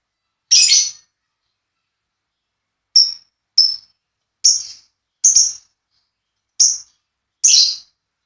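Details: Lovebirds being paired, giving sharp high chirps in seven separate bursts spaced one to two seconds apart, with silence between them.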